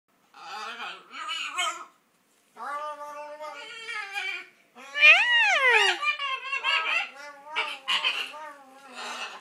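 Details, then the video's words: Pet macaw indoors in a small room attempting to mimic human speech, a fuzzy, voice-like string of harmonic syllables with rising and falling inflections, broken by short pauses, loudest in the middle stretch. "Macaw talking"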